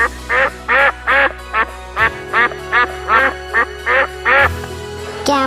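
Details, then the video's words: Duck quacking in a steady series of about eleven loud, nasal quacks, paired and grouped over five seconds, with continuous background music throughout. "Duck sound quack quack."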